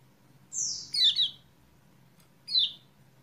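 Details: Kecial kuning chirping as a lure to bring a silent bird back into song: a long high note falling into a doubled chirp, then one more descending chirp, over a steady low hum.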